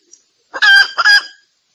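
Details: Red junglefowl female calling for males, used as a hunting lure: two loud, drawn-out, raspy squawking notes in quick succession, then silence.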